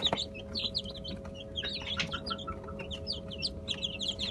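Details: Chicken chicks eating a mash of boiled egg, bulgur and olive oil; scattered bright cheeps, some sharply down-slurred, come in bursts from several chicks, with clicks of pecking and a steady electrical hum.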